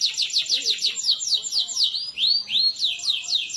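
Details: Energetic canary song intended to teach lazy canaries to sing: a run of fast downslurred notes, two loud looping arched whistles, then more quick repeated sweeps, all high-pitched and continuous.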